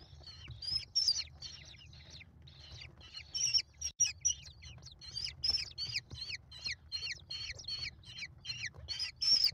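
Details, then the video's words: Five American kestrel chicks being fed by their mother at a nest watched by a live camera, late May: rapid, dense series of high, thin, chattering notes with short rising and falling squeals, repeated without pause, several birds calling together. "Mom faces the mob! American Kestrels."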